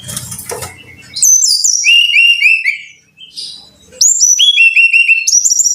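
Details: Caged-bird training recording of a brown-chested jungle flycatcher singing, opening with a rough noisy burst, then bright whistled notes repeated in quick stepped runs, a short pause, and another fast run of high clear whistles.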